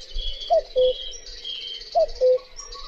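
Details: Common cuckoo (Cuculus canorus) giving two soft, hooting cu-coo calls about 1.5 seconds apart, each a short falling note followed by a lower sustained one. Faint high chirps sound behind.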